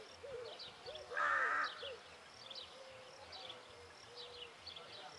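A rook gives one harsh, grating caw lasting about half a second. Faint chirps and whistles from other birds sound in the background.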